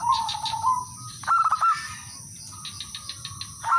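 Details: Local male zebra dove challenging rivals, played as a lure to set other birds singing; one bright burst of quick bubbling coos after a lower drawn coo, then a level sustained note and a new phrase starting.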